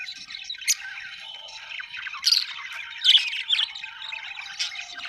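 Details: Budgerigars chattering together: a dense, continuous warble of squeaky chirps and scratchy notes, with sharper squawks standing out around the second and third seconds.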